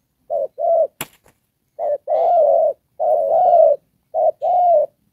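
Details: "Đồng Pha"-style coos from a decoy spotted dove used in trapping: short-long paired notes with some long, rolling drawn-out coos, broken by a single sharp click near the start.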